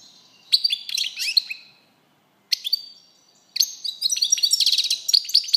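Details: Goldfinch in song, with bursts of liquid twittering separated by silent gaps, then a sustained rapid sequence of buzzy trills and tinkling chirps toward the end.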